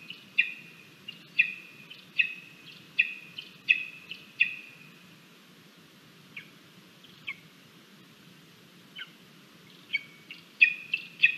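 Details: Lesser spotted eagle chick on the nest at breakfast, 17 August 2022, nest camera: a rapid run of sharp whistled calls, a quieter stretch with a few faint notes, then another burst of whistles.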